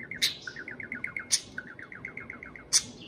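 A parakeet warbles steadily in quick, chirpy notes, six or seven a second, with three sharp clicks cutting through.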